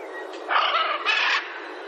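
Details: Two grating macaw squawks follow close together, each harsh and broadband and under half a second long, over low steady background noise.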